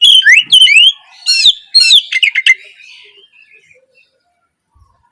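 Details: Oriental magpie-robin morning song for coaxing young 'trotol' birds to sing; loud, fast swooping whistles and chirps in the first half, fading into soft scattered notes and near silence.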